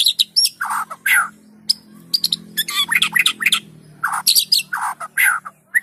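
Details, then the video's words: White-rumped shama song played to prompt other shamas to sing: rapid bursts of harsh, squawky notes and chattering phrases around mid to high pitch, with brief whistles, separated by short gaps. "PANCINGAN MURAI BATU GACOR!! Murau Batu Malas Akan segera ikut Gacor"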